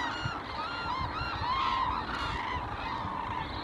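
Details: Large gathering of Hooded Cranes at Arasaki, Japan, in November 2017, calling together: overlapping bugling and honking notes rising and falling over a constant low flock rumble.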